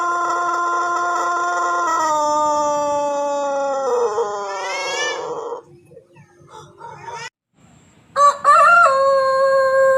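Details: Pelung rooster from Plered in Purwakarta Regency giving a long drawn-out crow that falls in pitch in clear steps over about five seconds. It then drops to quiet low sounds, and a new loud tone starts near the end.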